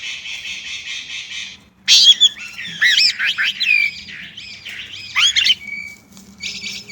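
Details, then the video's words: Varied warbling of a Chinese blackbird. A high buzzy trill gives way to tumbling twisted whistles and squeaky notes, and a brief rattle closes the phrase. A steady low hum runs throughout. "烏鶇(黑鶇)的叫聲/Sound of Chinese Blackbird"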